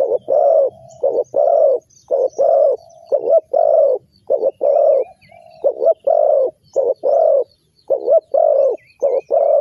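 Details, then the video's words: Trapping lure, spotted dove cooing steadily: some twenty soft, rounded coos in quick pairs and triplets across ten seconds, a brief steady tone between groups, and faint high twittering from other birds. "Spotted Dove Trap,Terkukur Pikat"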